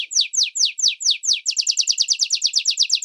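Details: A training song for young and adult canaries, Reino and Belgian kinds: a measured run of sweeping downslurred notes, about six per second, switches halfway into a quicker, louder rolling trill.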